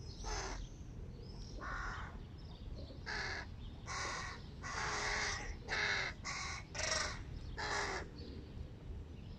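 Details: Begging of large hooded crow fledglings at breakfast with their family: a quick run of harsh, grating caws, sparse at first, then crowding together about once a second, some notes drawn out and strained.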